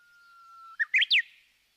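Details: Japanese bush warbler singing one phrase: a held, even whistle for most of a second, then a rapid bright flourish of three notes climbing and dropping away.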